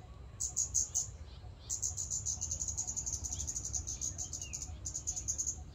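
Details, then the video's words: Scarlet-backed flowerpecker in a public park, with very high, thin notes in a fast, almost continuous ticking series lasting several seconds after a short opening burst, then a brief final run, over low background noise. "เสียงนกชมภูสวน(กาฝาก) Scarlet-backed Flowerpecker"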